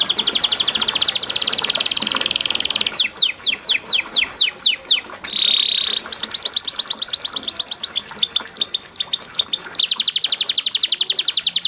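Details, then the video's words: Canary singing melodiously beside running water to stimulate other canaries: a continuous rapid buzzy trill, a series of plunging whistled sweeps, one brief tonal note, then quick chattering and a long even trill. "MASTERAN Kenari GACOR CENGKOK MERDU Di Sertai GEMERICIK AIR Cocok Buat TERAPI PANCINGAN RAJIN BUNYI"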